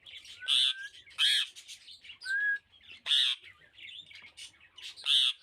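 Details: Pet rose-ringed parakeet giving loud, harsh screeches about once a second, interspersed with short rising whistled notes and softer chatter.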